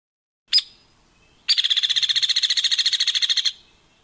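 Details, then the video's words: A Hairy Woodpecker gives a single high, sharp peek, then a fast whinny of about twenty high notes in two seconds that holds one pitch without descending, unlike the Downy's descending whinny. "Whereas the hairy woodpecker's whinny does not descend, it stays on one pitch."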